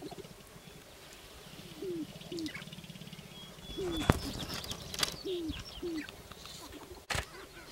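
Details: Sharp-tailed grouse displaying on a Northern Wisconsin lek, 29 April 2021. Short, falling, hollow cooing notes come in pairs over a steady low rattling pulse, with a few high chirps and sharp clicks.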